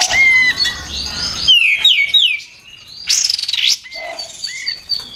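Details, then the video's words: White-eared bulbul in dense, continuous song used as a training lure for songbirds, with loud, sharp bursts: clear whistled notes near two kilohertz, then falling slurred sweeps and a high rising-falling phrase, over faint low rumble. "PANCINGAN KAPAS TEMBAK BAHAN LANGSUNG BUNYI"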